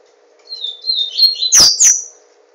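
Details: Captive papa-capim seedeater in Garanhuns, Pernambuco, Brazil, delivering one song phrase: thin buzzy notes stepping upward and ending in two loud high chirps, over a faint constant hum.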